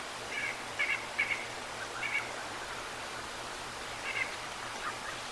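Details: Wild bald eagles recorded by the Decorah North live cam on 11/2/22 at 19:17, giving thin, high-pitched chittering notes in short bursts, several close together then a pause, against low continuous outdoor hiss.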